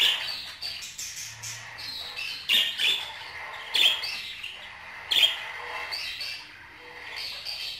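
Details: Budgerigar warbling in a continuous high chatter, broken by sharp bright squawks around 2.5, 3.8 and 5.2 seconds, with softer chirps between and no other clear sounds.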